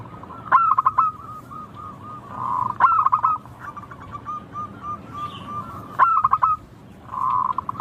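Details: Local zebra dove song, clear and sweet: three bursts of sharp, rapid staccato notes breaking into rolling trills, joined by softer, evenly spaced cooing notes and buzzy sustained phrases.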